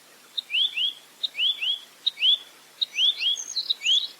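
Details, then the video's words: Repeated phrases of a velvet-fronted nuthatch in clear 'roll tembak' style: a brief tick, then paired rising whistled notes, with a few high chirps between the later phrases. "Masteran Burung Rambatan Mandarin Jernih Full Roll Tembak"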